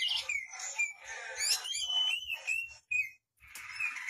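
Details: Oriental magpie-robin (kacer) singing in a lively gacor style as a vocal tutor for other birds: clear whistled notes near the middle register, sliding and wavering, mixed with short harsh squawky bursts and brief pauses, over faint low thumping in the background.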